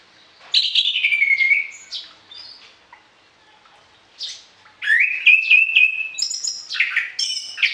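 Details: Varied orange-headed thrush song used to train other birds in the morning and evening, with rich whistled phrases sliding downward, a pause, then a rapid run of mixed notes and high chips.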